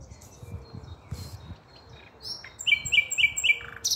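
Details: Common nightingale song recorded on 5 May 2023: faint scattered high notes and soft chirps, then a run of about four loud, rich, evenly spaced notes near the end, with a sharp high flourish closing the phrase.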